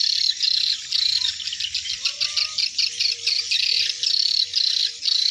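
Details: Hundreds of swiftlets heading into their nests in the evening twilight give a dense shrill chirping chorus in bursts, with thin whistled tones repeated across the flock and faint lower gliding notes underneath.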